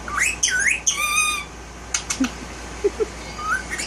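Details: Violet male Indian ringneck parakeet, a one-year-old tail-less pet, indoors, giving looping whistled syllables and a steady held whistle, followed by sharp clicks and a soft rising whistle at the end.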